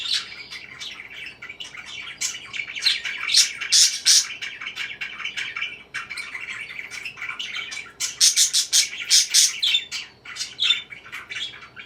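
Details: Parakeet chirping: rapid strings of short, harsh chirps mixed with softer warbling chatter, with a break of near quiet around six seconds before another fast burst.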